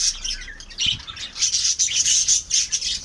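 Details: Shrill, rapid squawks and sharp high chirps from pet lovebirds come in quick uneven succession, several per second, forming a busy, piercing chatter.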